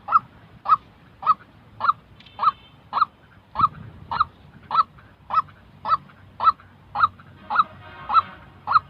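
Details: Genuine white-breasted waterhen calling, used to train decoy birds for trapping: sixteen evenly spaced, honking 'kook' notes about every 0.55 seconds, with faint higher whistled tones from other birds in places.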